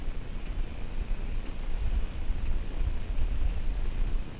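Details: Steady, heavy low rumble of wind or engine noise fills the whole recording, with no animal calls standing out.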